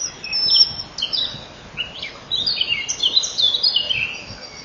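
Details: At a common kingfisher nest burrow, 07:57 on 12 May 2013, male and female crowd in the tunnel before he feeds. Thin, high whistled notes tumble in overlapping downward slurs, growing busier toward the end.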